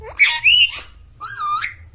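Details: A pet talking parrot, which its owner says is getting angry, gives harsh, rising squawks and a bent whistle, two bursts in two seconds, with a low hum underneath.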